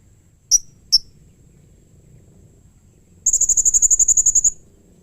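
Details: This blue-crowned hanging parrot call is said to set off answers from other hanging parrots. Two sharp single high notes, a pause, then a fast, even trill of about fifteen shrill chips lasting over a second.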